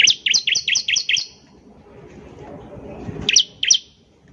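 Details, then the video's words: Ciblek (bar-winged prinia) song: six quick, evenly spaced sharp chirps in about a second, a quiet gap with faint low rumble, then two more bright notes. "PANCINGAN CIBLEK GACOR || CIBLEK BAHAN PASTI CEPAT BUNYI"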